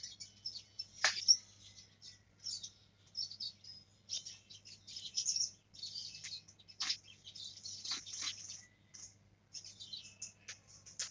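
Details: Young black-throated canary learning the rolling ngerol song: rapid high twittering with scattered sharp downward-sweeping notes, in short bursts separated by brief pauses, over a steady low hum.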